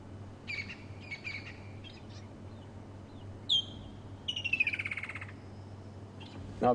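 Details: Woodland kingfisher at sunrise on a 28 November 2015 morning safari drive, a summer migrant calling in mating season: a sharp high note, then a fast, slightly falling trill of about a dozen ringing pulses, after softer chirps, over a low engine rumble.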